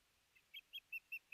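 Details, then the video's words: A female osprey at her nest in Hellgate Canyon, Missoula, Montana, on July 9, 2020, calling out for her lost mate, recorded by a nest camera. Five clear, short whistled notes come in a steady series about every fifth of a second. "Iris Calls Out To Her Lost Mate"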